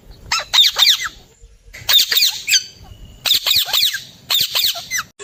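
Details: Young Alexandrine parakeet calling: bursts of harsh, high squawking notes in quick clusters of three or four, each burst about a second long, repeated with short pauses, recorded close up.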